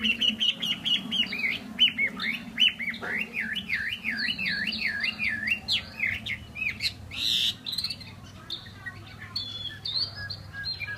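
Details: Chinese hwamei, a kept cage bird from Vietnam, singing a loud varied song: repeated rising whistles, then a long rapid wavering trill, followed by sharp chirps and harsh notes.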